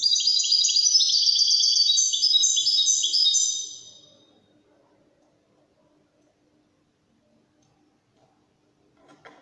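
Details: Wedani European goldfinch delivering a fast, jingling twitter of rapid high notes and trills for about three and a half seconds, followed by near silence and a faint brief rustle at the end.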